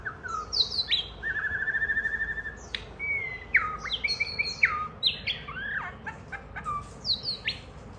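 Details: White-rumped shama kept as a pet, singing as a child plays with it and it pecks the hand: a long trilled note, then clear downslurred whistles and sharp high chips in quick varied bursts.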